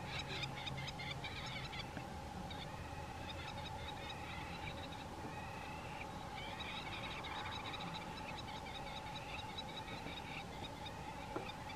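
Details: A nesting pair of crowned lapwings give bursts of harsh, high, rapidly repeated alarm notes while chasing and mobbing a pied crow near their nest, over a steady hum and background noise.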